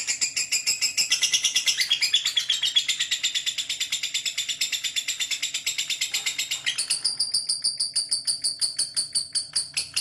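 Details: Lovebird giving a long ngekek chatter: a fast, continuous run of shrill, high chirps at about two per second, shifting to a thinner, steadier rattle near the end, in a small indoor room.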